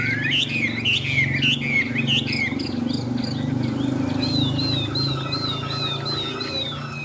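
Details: Chinese hwamei in a cage singing in the rain under a dull sky. It gives loud, looping whistled phrases, first rapid and varied, then a steady series of wavering, slurred notes repeated several times a second over low rumble.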